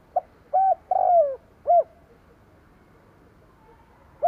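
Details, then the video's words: A decoy spotted dove's lure cooing, here broken up: a short hoot, two longer coos, the second falling, then another short hoot and a brief note at the end, against soft hiss. "Tiếng cu gáy mồi gù gáy kích bổi nhanh nổi"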